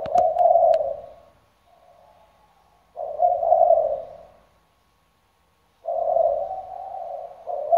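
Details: Decoy spotted dove calling through day and night, giving low hollow rolling coos in phrases about a second long, repeated every three seconds, with a faint steady hum and a few sharp clicks at the start.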